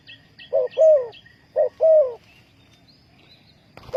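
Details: Lure call of a spotted dove in a trapping setup, Ninh Thuận. Two two-part coos, a short note and then a longer falling one. Quiet background follows with faint chirps, ending in a sudden bump.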